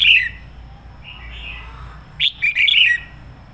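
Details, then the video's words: A decoy red-whiskered bulbul sings a fiery, full-throated phrase: an opening warbled burst, soft slurred whistles, then a loud cluster of bright chattering notes. "Chào mào mồi hót sổ bọng căng lửa hay nhất 2020"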